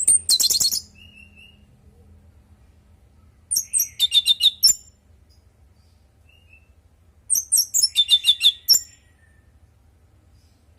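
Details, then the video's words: Orange-headed thrush song used as a lure to get other birds answering: two bursts of rapid, high chattering notes, each about a second long, separated by several seconds of quiet. "Pancingan burung anis merah|Agar nyaut Dan ikut ngeplong|"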